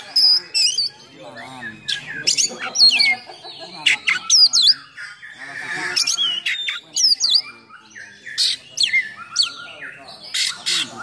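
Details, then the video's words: Oriental magpie-robin singing a rough 'isian kasar' fill-in 'nembak' song meant to provoke and train other magpie-robins; loud looping whistles, scratchy chatter and sudden harsh bursts alternate with brief pauses. "Kacer Gacor Full Nembak Isian Kasar Bikin Emosi Kacer mu"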